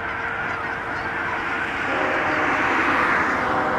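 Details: Thousands of Canada geese on a pond in Hutchinson, Kansas, on a January day, their overlapping honks merging into a dense, continuous wash of calling that swells slightly louder toward the end.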